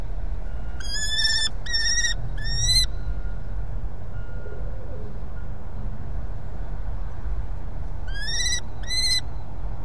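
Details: Common kestrel at its nest with prey, Brest, Belarus, 23 April 2020. Three drawn-out, harmonic whining calls come in quick succession, a pause follows, then two more. A steady low hum runs underneath.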